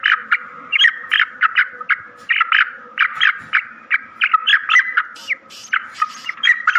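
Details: Black francolin calls played to quickly excite the birds: rapid, irregular bursts of harsh, grating, squawky notes, several overlapping with no clear pauses, with faint low background noise.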